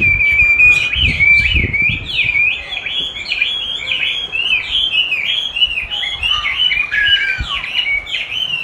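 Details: Chinese hwamei being trained with its own song played back, eager to duel with its own voice; opens with a long steady whistle, then a varied, rapid cascade of slurred whistled phrases, with brief low knocks early on.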